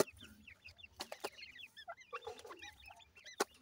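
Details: Partridge chicks playing give overlapping high peeps, with a lower rasping call, bumps and a loud knock near the end.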